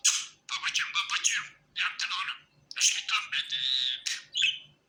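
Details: Cheerful pet budgie giving harsh chirps and chattering warbles, then a sustained buzzy whistle before a final squeak.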